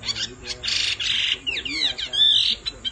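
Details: Female hwamei's calls rousing a male: harsh, hissing squawks alternate with quick, rising whistled slurs, the bursts rough and broad over faint background noise.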